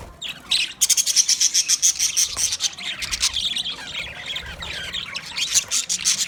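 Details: Green budgies chattering in a dense stream of fast, high, scratchy chirps and squeaks, several per second, with brief pauses between bursts.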